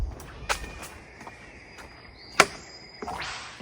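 A whipbird gives a thin drawn-out whistle that ends in a sharp, explosive whip-crack, followed by a brief rising note. Other soft clicks and distant bird sounds are heard.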